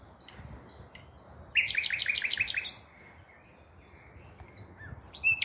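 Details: Song of a common nightingale, 5 May 2023: high thin whistled notes lead into a rapid, loud sequence of about seven repeated rattling notes, followed by a quiet pause and a sharp final note.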